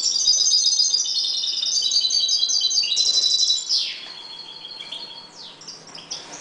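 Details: European goldfinches breeding in a 1.20 m cage sing a dense, liquid twitter of high chiming notes. It grows louder and then quieter, with a few rapid descending slurs near the end.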